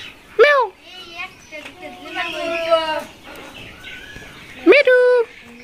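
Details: Talking rose-ringed parakeet kept as a pet. Sharp rising-falling squawks open and close the recording, with softer chattering and murmuring in between.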